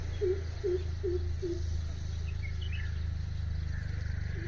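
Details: A Greater Coucal visiting a house gives four deep, hollow hoots about every half second, over a steady low hum, with faint chirps from another small bird.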